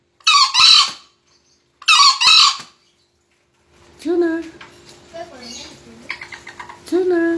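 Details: Two rough, hoarse two-note crows of green junglefowl in quick succession, then quieter wavering tonal calls and faint chatter from other sounds.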